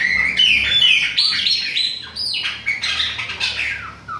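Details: Bahia-type Chopi blackbird song, with a young bird mentioned. A steady flow of clear whistled notes, some held and some slurring downward, ends in a low descending tone.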